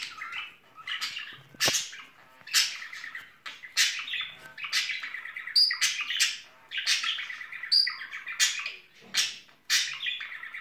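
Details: Two budgerigars, a courting pair in spring, give steady warbled chatter. Buzzy squawks and short rising chirps repeat in quick, uneven bursts, with a few thin high whistled notes.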